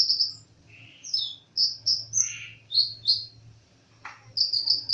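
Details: Kolibri ninja sunbird singing in bursts of high, sharp chirps and buzzy twitters, separated by brief gaps, over a faint low background hum.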